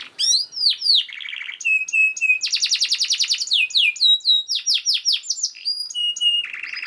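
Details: Master canary song for training other canaries: dense mix of sweeping whistles, short steady notes, a fast rolling trill, quick downslurs and a closing buzzy trill, delivered without pauses.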